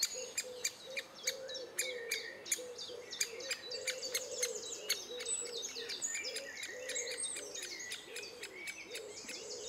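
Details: Great spotted woodpecker in June 2011, adults feeding chicks, giving sharp, clicking 'kik' notes several times a second over a steady low humming drone, with other small birds chirping high behind.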